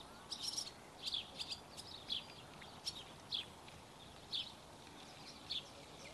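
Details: Barn swallow young begging while being fed, sharp high chirps in small clusters at irregular intervals of about a second, with steady hiss behind.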